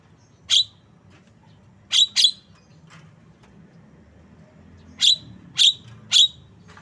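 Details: Harsh, buzzy chips from a Javan myna (jalak kebo), a single note followed by a quick pair, then a run of three evenly spaced notes after a short pause, against a faint low hum.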